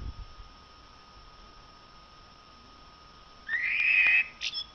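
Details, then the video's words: ['Quiet background at first, then a common blackbird bursts into a short loud warbled phrase ending in a high squeak.'] "song of the blackbird canto del merlo"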